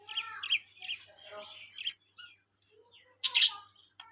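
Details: Colony of budgerigars, kept as Australian parrots for breeding, giving bright chirps and warbling chatter in short bursts, ending in a loud harsh squawk.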